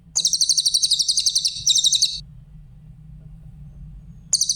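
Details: Grey-headed canary-flycatcher (cililin) song, a clear recording for training other songbirds: a rapid, very high chattering trill of sharp notes lasting about two seconds, then a pause and a new burst, over a faint low hum.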